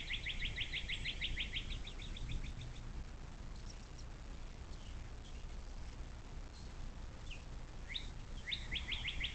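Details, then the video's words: Bald eagle at a nest along the Little Miami River near South Lebanon, southwest Ohio, USA, captured by nest cam on 06.04.2024 at 17:23: rapid staccato high chittering runs, one opening the clip and another near the end, with steady low rumble. "Little Miami Conservancy Bald Eagle"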